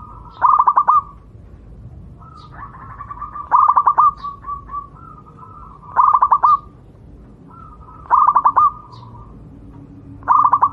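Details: Javanese zebra dove, a wild local bird used as a singing model for other doves: repeated phrases of a rolling, trilled coo cluster ending in a held note, about every two to two and a half seconds, quiet background.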